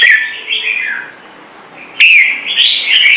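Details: Red-whiskered bulbul giving standard-voice song for training wild-caught birds to sing. A warbling whistled run fades away, then after a short pause a clear, bright phrase returns with rising and falling notes.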